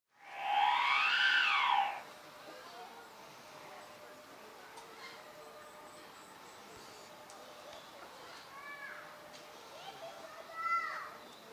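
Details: A female knobbed hornbill, a species rarely kept in zoos, gives one loud, nasal, drawn-out honk lasting under two seconds, with fainter, short arched notes near the end.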